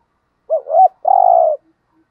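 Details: One spotted dove cooing phrase, played to encourage captive doves to coo: two quick hoots followed by a sustained, finely pulsed coo, otherwise quiet.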